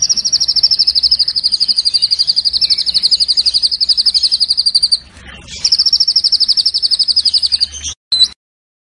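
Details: White-rumped shama (murai batu) in a long training recording for mornings: a high rapid buzzy trill held for about five seconds, a short rough pause, then the trill resumes before cutting off with a clipped note.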